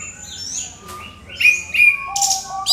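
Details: Orange-headed thrush giving a short burst of clear lure song meant to provoke other songbirds: high whistled notes and slurs, then two loud sharp whistles and a buzzy high flourish.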